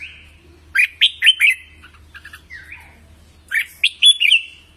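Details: A red-whiskered bulbul gives contest-style training song: two loud bursts of rapid, ringing whistled notes separated by a soft gurgling phrase, over a faint low hum.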